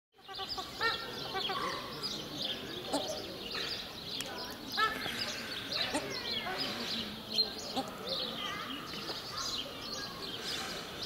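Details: A breeding-plumage paradise shelduck pair, the white-headed female included, give harsh, ringing calls in quick overlapping bursts over a steady hiss; the pair is aggressive toward other waterbirds, defending its breeding territory.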